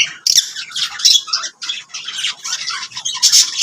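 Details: Lovebirds squawking and chirping in quick harsh bursts, raspy high notes tumbling one after another with short gaps, lively and continuous.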